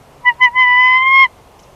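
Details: During a nest switch between a bald eagle pair at the Big Bear Valley nest in March 2021, two quick piping notes lead into one long, level, whistled tone.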